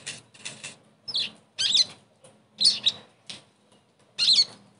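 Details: Therapy song of a sogon meant to restart a bird that has gone quiet: scattered high, scratchy notes and short twisting whistled phrases, coming in separate bursts.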